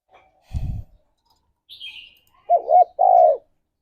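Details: Spotted dove, a morning lure meant to stir mating drive, giving two loud mid-pitched coos late on, the first doubled and the second a longer falling note, after a low thump and a brief high chirp.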